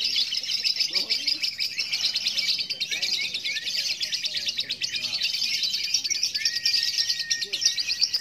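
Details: Competition lovebird from Klaten, Indonesia, delivering a long 'ngekek' trill at the hanging pole: a fast, high, scratchy chatter sustained for eight seconds. A thin steady whistle and low murmuring voices are also heard.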